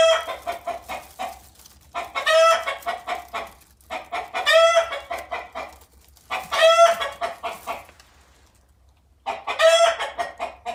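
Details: Young domestic rooster, five and a half months old, keeps calling next to a hen preparing to lay her first, likely fertile egg. Loud, throaty, harmonic calls repeat roughly every two to two and a half seconds, with softer clucking between them.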